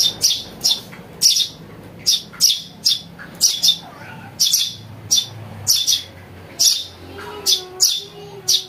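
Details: House sparrow chick calls used as a lure for catching birds: harsh, broadband chirps centred high, repeated rapidly about every half second in a steady series, with faint low background hum.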